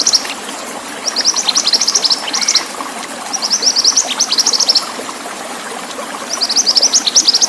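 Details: Pied bushchat sings quick runs of bright, clipped high notes in phrases of about one to two seconds with gaps between them, set against constant flowing water noise.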